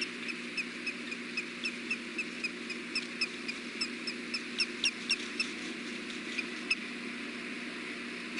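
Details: Osprey courting calls at a Montana nest camera around 14:22 in the afternoon, during a mating attempt before one bird leaves: thin, high, whistled chirps in rapid, slightly irregular series, several per second, over steady low hum.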